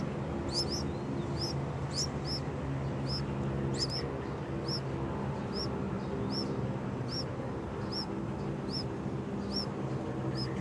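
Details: Two Yellow-vented Bulbul chicks call loudly with high, thin upslurred squeaks, repeated about twice a second over a steady low rumble of traffic.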